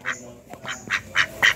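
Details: A white male domestic (desi) duck, just released after being held, gives a quick run of five short, hoarse quacks, roughly three to four each second, each a harsh, nasal burst; the owner says it is angry.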